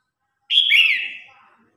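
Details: Red-whiskered bulbul singing in competition to call the flock: a single clear, rich whistled phrase that starts bright, dips into a slurred downward warble and trails off, with a quiet background.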